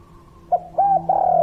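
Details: Spotted dove (tekukur), a vigorous kuk 3 caller, gives a short coo, a level held note and a long, slowly falling coo. A steady low hum runs throughout.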